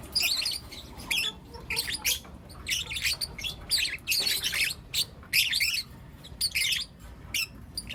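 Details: Young lutino lovebirds, four together, chirp in the morning: short raspy bursts of high chatter recurring every half second or so, with quieter stretches between and a low steady hum.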